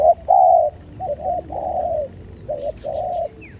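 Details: Low coos from a spotted dove in a fight, alternating long level notes with short paired notes, the later phrases quieter; faint chirps of other birds behind.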